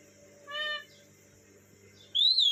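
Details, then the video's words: Parrot calling: a short nasal, harmonic-rich note, then after a pause of over a second a loud, clear whistle that rises and then falls, with faint low background hum throughout. "This is the sound of a gogo."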